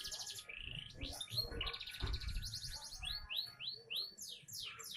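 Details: Young canary song of fast trills and repeated rising whistled notes, with some low thumping background noise in the middle.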